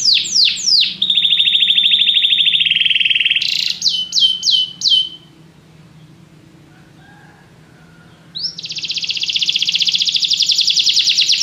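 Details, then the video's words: Canary song with a few descending slurs, then a long buzzy rolling trill, a brief burst of rapid higher notes, a quiet pause, and a renewed rapid trill. "Canary bird | o canário canta muito bem"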